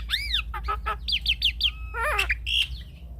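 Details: Song of a Javan myna, offered as a training and lure recording for mynas. Arching whistles and falling slurs run into quick chattering notes and a short buzzy phrase over a faint low hum.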